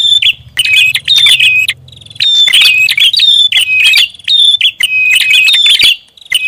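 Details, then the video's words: Prinia lure call, busy and noisy in style: loud, high chirping bursts with sharp metallic notes, delivered in dense clusters separated by brief pauses, over a faint low hum early on. "SUARA PIKAT BURUNG PRINJAK ATAS RIBUT"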